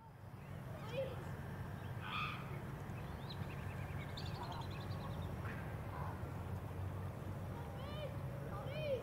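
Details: Wandering whistling-duck filmed on the Sunshine Coast, Queensland, in June 2023 alongside grey teal and hardhead; thin, upslurred whistled notes scattered through, clearest near the end, over a steady low rumble.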